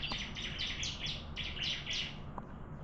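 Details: Bar-winged prinia in a singing contest, delivering a rapid series of buzzy, scratchy high notes, about four per second, holding steady for two seconds before a short pause, over low background rumble.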